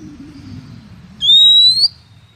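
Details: Female Oriental magpie-robin luring call meant to draw males into song: a single bright whistle of about half a second, gliding steadily upward, preceded by quiet background hum.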